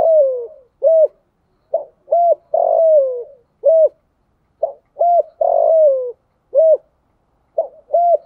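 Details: A decoy spotted dove, cooing in the 'thổ sấm' style to attract wild doves during the rainy, windy season. Regular repeated phrases come about every two seconds: short hollow hoots around a long, downward-sliding coo.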